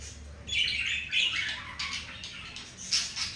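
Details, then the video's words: Pet budgerigars during mating, a pair kept indoors: bursts of scratchy, chattering chirps and squawks come in clusters, rising and falling over a few seconds. "Budgie breeding moment"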